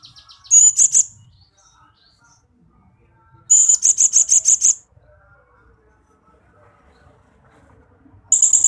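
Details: Blue-crowned hanging parrot (srindit) song, recorded to train pet birds: very high, shrill bursts of rapid chattering notes, three bursts separated by quiet gaps of about two to three seconds.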